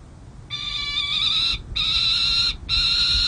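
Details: Young peregrine falcons at a city hall nest ledge in San Jose, 29 June 2024, playing and being fed: long, harsh, wailing calls, three drawn-out bursts of about one second each with short gaps, steady and strongly harmonic.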